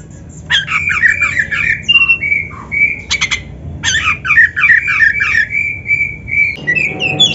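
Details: Oriental magpie-robin, called kacer in Indonesia, on a masteran meant for training birds. Rapid, repeated chattering notes run into long, steady whistles, with a sharp ticking burst in the middle.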